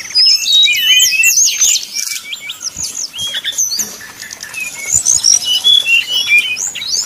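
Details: Lure recording of a brown-chested jungle flycatcher's 'nyuling' song for provoking rivals: sharp high whistled flicks and twitters, a short pause midway, then renewed quick chattering phrases.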